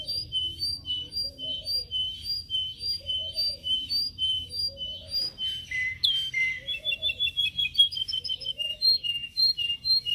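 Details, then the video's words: Caged canary singing during training: rapid series of high whistled and chirped notes, repeated in short phrases, with a brief rising-falling trill midway and a low faint hum beneath. "Canary singing training"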